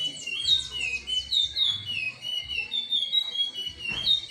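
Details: Timbira song of a curió, the chestnut-bellied seed finch: clear descending whistles in quick succession, then slower sliding phrases, a short noisy burst near the end.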